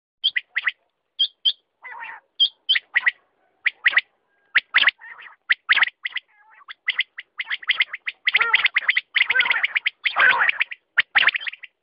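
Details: Quail calling with short, sharp chirps near each other, some hooked and high, mixed with lower rasping, gargling bursts; notes come in uneven clusters that grow denser toward the end.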